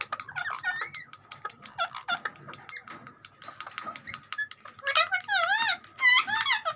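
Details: Talking ringneck parrot chatter: dense ticking clicks mixed with quick wavy squeals. The squeals become louder and more tremulous toward the end, with a faint steady background hum.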